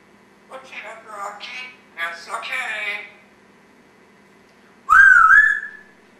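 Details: Pet African Grey Congo parrot indoors, a talking and burping bird: about two and a half seconds of speech-like chatter in uneven syllables, a pause, then one loud whistled note that rises and wavers, faint room hum beneath.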